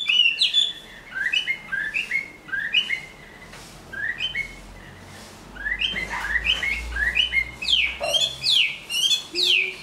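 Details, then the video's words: Moulting Chinese hwamei of large build, noted for good singing and fighting, sings short whistled phrases separated by brief pauses, building toward faster, sweeping upward notes near the end. "Họa mi bộ to hót tốt đấu tốt"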